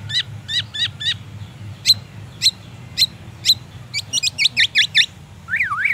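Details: Captive black-naped oriole, song stuffed with white-rumped shama imitations, given during morning sunning: four quick hooked notes, a run of evenly spaced sharp ticks, a fast rattling series, then a rising-falling zigzag whistle.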